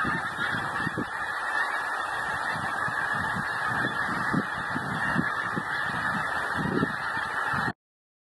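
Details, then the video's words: A migrating goose flock keeps up a constant chorus of overlapping honks, a few sharper calls standing out, before the sound cuts off abruptly near the end. "Migrating Geese"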